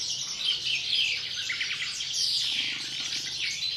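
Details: Pre-breeding song of a captive European greenfinch, an unbroken stream of high, rapid chirping and warbled trills held at a steady loudness.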